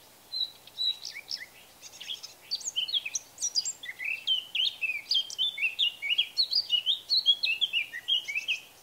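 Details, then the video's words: Male Eurasian blackcap singing in Bavaria, Germany, in June or May: a rapid run of varied chirpy notes that builds into a loud, fluty warble of clear, looping whistles, lasting about eight seconds. "Mönchsgrasmücke mit Gesang - Eurasian Blackcap singing (Sylvia atricapilla)"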